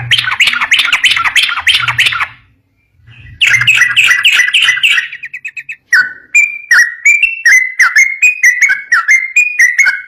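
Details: Yellow-vented bulbul (trucukan) singing a long, continuous "ropel" song meant to make other bulbuls answer: dense loud bubbling chatter in two bursts over low thumping, then a steady series of clear, slurred whistled notes about twice per second.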